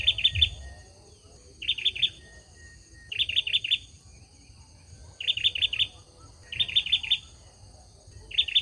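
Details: Male olive-backed sunbird song: clear, repeated phrases of three or four fast, high chirps, spaced about one to two seconds apart across the recording, with little background noise.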